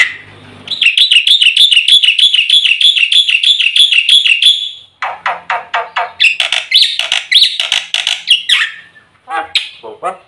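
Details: White starling (black-winged myna) singing a full filled song for training other birds to sing. It opens with a long, very rapid run of identical ringing chirps, then gives buzzy, scratchy bursts and strident twittering.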